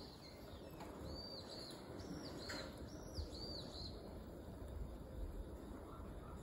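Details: Common kingfisher on the Zenpukuji River, recorded by smartphone with a telephoto lens: a run of thin, high piping whistles, several short notes in quick succession, over a steady broadband rushing background.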